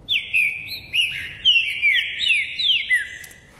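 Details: Green-winged saltator in Caxias, Rio de Janeiro, singing a loud, rich phrase of about eight clear whistled notes, mostly sliding downward, delivered quickly over nearly four seconds.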